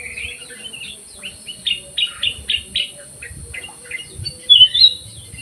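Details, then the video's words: A black-crested bulbul in an aviary gives a chattering song of short whistled notes in quick sequence, ending with a louder slurred phrase, with faint low rumbling behind. "KUTILANG EMAS GACOR"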